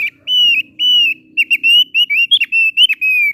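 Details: In melodious full song, a thick-billed heleia gives long level whistles followed by quicker, clipped whistled notes with occasional downward flicks, all at a clear high pitch over a faint hum.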